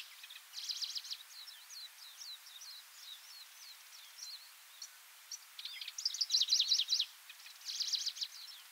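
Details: Styan's grasshopper warbler singing on Miyake Island about 20 years ago, perched atop a low pine: a dry, buzzy chatter of rapid high notes in bursts, with faint scratchy phrases between loud trills.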